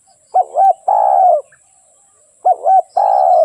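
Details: Spotted dove song with two phrases, each two short rounded coos and then a long, buzzy, falling croo, separated by about a second of silence.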